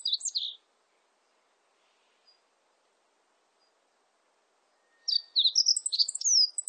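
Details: Meadow bunting singing: a brief burst of thin, high notes, about four seconds of silence, then a longer phrase of rapid, varied twitters and falling slurs.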